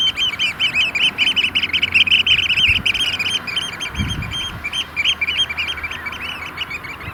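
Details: At least 30 Eurasian oystercatchers display at a sand-pit lake in Vriezenveen, Netherlands, at about 5°C in rain and hail showers. They give fast, shrill, continuous 'kleep' piping, about three notes per second, with a low thump and soft background noise.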